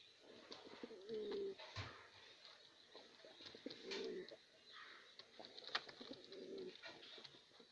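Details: A white King pigeon gives low, soft rolling coos, a few seconds apart, with faint knocks nearby.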